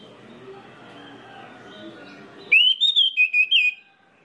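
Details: Orange-headed thrush, used as a trigger song for others of its species: after low background noise, a crisp phrase of clear whistles, one rising slur then several evenly spaced falling notes.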